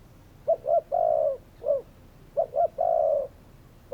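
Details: Spotted dove cooing, two low hollow phrases in quick succession, each made of brief hooting notes followed by a longer sustained coo and a final short note.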